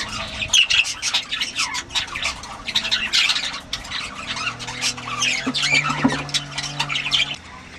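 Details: Several parrots giving loud rasping squawks and shrieks, calls overlapping throughout, with a steady low hum running underneath through the second half.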